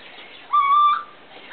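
A Little Owl gives a single clear, whistled note about half a second long, slightly rising at the start and then held level, against a faint background hiss.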